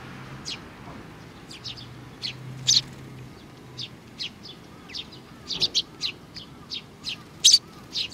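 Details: Sparrows and their young on 27 June 2019: a run of high, clipped chirps, some in quick pairs, with two louder strident notes and faint lower curved whistles in the middle, over a soft low hum.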